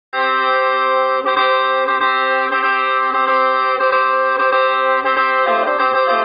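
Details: Steady, loud instrumental music with sustained organ-like tones and plucked-string accents, and no animal voice.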